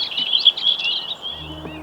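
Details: A lesser whitethroat, one of two or three in dense foliage on a moor in early spring, gives a brief, scratchy, high chattering warble for about a second before fading; soft music begins underneath at the end.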